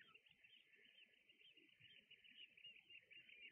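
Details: A flock of red knots with Brent geese on Juist island, Germany, keeps up a dense, steady chatter of overlapping mid-pitched calls, with a faint low rumble underneath.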